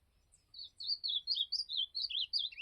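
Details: Azulão, the ultramarine grosbeak, in a campeada song: after a brief pause, a string of clear, slurred whistles rising and falling in quick succession, about four notes a second, over a faint low rumble.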